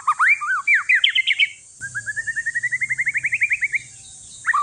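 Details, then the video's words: Loud varied whistles and chirps from a one-year-old white-rumped shama of Aceh forest lineage, sung to get idle shamas singing, then an even series of short notes rising in pitch, repeated about six per second. "Si paling ribut murai trah hutan aceh COCOK UNTUK PANCINGAN"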